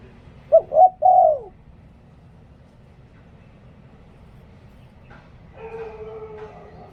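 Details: Spotted dove used as a decoy bird, singing in a style called หลิ่วตัน: one short three-note cooing phrase, mellow and mid-pitched, with the last note sliding downward, followed by quiet background and a faint later sound.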